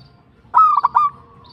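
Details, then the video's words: A short zebra dove phrase of three rapid, pulsed cooing notes on an even pitch, opening with a slight rise and trailing off into a soft tail. "PERKUTUT LOKAL GACOR TUMBAK CUCUKAN ASLI BIKIN GACOR"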